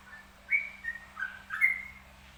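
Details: Trucukan-style song of a zebra dove: four short ringing notes with brief gaps, each slightly falling, against a low electrical hum.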